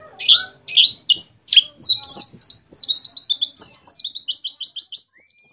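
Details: West Javan white-eye from Mount Ciremai singing canary-like: several loud separate chirps, then a quickening run of buzzy trilled notes, closing with a faint level whistle.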